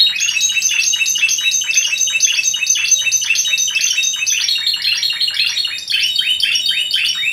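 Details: Dense, fast chattering song of a Yemen linnet, with high clipped notes repeated in quick succession for the whole stretch and no pauses.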